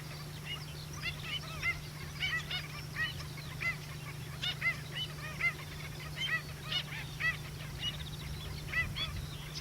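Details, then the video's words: Pied stilt at a roadside pond after rain at Miranda, New Zealand. A long run of thin, nasal yelping notes repeats about every half second, fainter and partly masked by a steady low drone. "Pied or Black-winged Stilt calling on road side pond after rain at Miranda"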